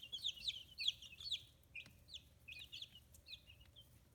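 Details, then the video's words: Young chickens, fifteen days old and starting to feather, on a free-range farm in Kitahiroshima, Hiroshima Prefecture, Japan. Quick bursts of shrill, downward-sliding peeps come in clusters, then thin out to scattered single notes. "Chicks Chirping Sounds"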